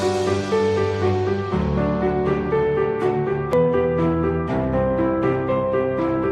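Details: Gentle piano music plays throughout, with no animal sounds.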